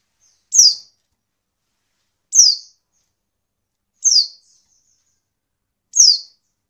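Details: Female Oriental white-eye call, used to prompt males into song; four evenly loud, high, thin downslurred notes, about two seconds apart, crisp against silence.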